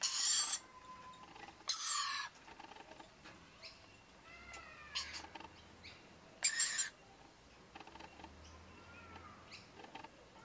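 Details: Wild rainbow lorikeet family, a pair with two young, visiting a front balcony to feed on powdered nectar; three loud, harsh, high screeching bursts, each under a second, separated by quieter gaps with faint short whistled notes.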